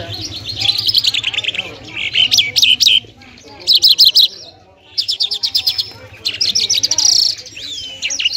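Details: Afghani lark of the Lunda or Mashadi type, locally called jal, singing loud bursts of rapid clicking trills and pulsed high notes in short phrases separated by brief pauses.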